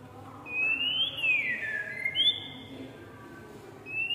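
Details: Tame oriental magpie-robin singing long, sweet whistles that rise, slide down and then climb again, with a final short rising whistle after a pause.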